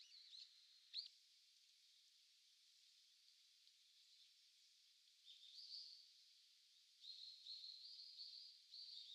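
Eurasian Teal giving soft, high, ringing whistled notes, a few short ones then a cluster near the end, over a steady background hiss.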